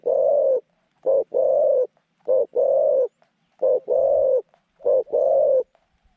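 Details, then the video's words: Decoy zebra dove, caged and cooing to draw wild doves to a trap pen, with a medium-pitched voice: low rolling coos in repeated phrases of a short note followed by a longer one, about every second. "จ้าว M16 จัดเชลย เสียงกลาง คูเก่งคูนานๆคับ"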